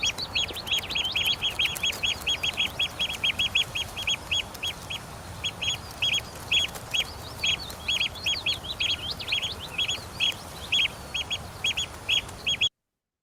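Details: Eurasian oystercatchers in winter non-breeding plumage, running around and chasing each other while making a racket: rapid, shrill, repeated "kleep" piping notes in excited bursts, several birds calling at once in a noisy chorus.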